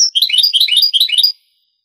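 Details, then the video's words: European goldfinch performing Granada-style Andalusian song, taken from an old 1980s–90s Spanish tape; a single quick phrase of sweet, tumbling twitters lasting just over a second. "CD ANTIGUO DEL CANTO DEL JILGUERO Años 80-90 شريط تغريد إسباني قديم"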